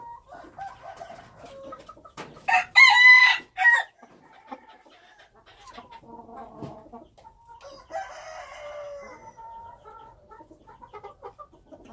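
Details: A wild chicken rooster gives a short, harsh crow of three chopped bursts, with softer clucks and calls before and after and a longer falling call near the eighth second.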